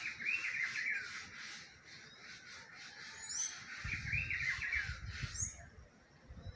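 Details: Rufous-browed peppershrike in spring: a warbled, rolling phrase of quick rising and falling notes, given twice about three and a half seconds apart, over a steady hiss of insects with some low rumble.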